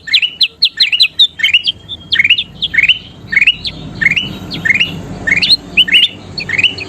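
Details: Singing kutilang emas bulbul for training caged birds: a fast opening run of sharp chirps, then spaced rising whistled phrases roughly every half second, over a mild background murmur.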